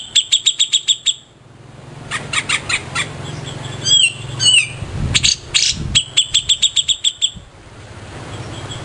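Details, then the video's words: Grey-cheeked bulbul (cucak jenggot) used as a master song tutor. Rapid runs of high chips open and close the passage, with squeaky downslurred whistles and scratchy bursts in between. A low hum runs underneath. "Cucak Jenggot Istimewa, Burung Master kesayangan"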